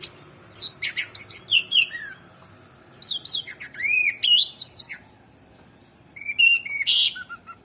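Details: Orange-headed thrush song in bursts of quick high whistled slurs and chirps, a loud arched note around the middle, then a pause and a final cluster of sharp high notes.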